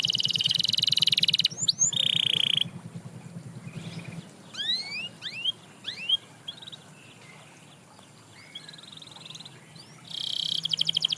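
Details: Canary song aimed at getting other canaries singing again. A harsh buzzy trill and a short sweep give way to quieter scattered rising chirps and soft notes, before a loud rapid trill returns at the end.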